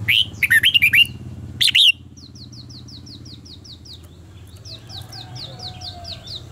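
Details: Red-whiskered bulbul in contest song for training: a rapid run of warbled whistled notes and a sharp final phrase, then a long steady series of thin high chirps from another bird over low hum.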